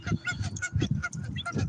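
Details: Geese near a lake give a quick run of harsh, nasal honks, several overlapping in under two seconds, with a low rumble of wind or handling noise underneath, during cold-weather fishing.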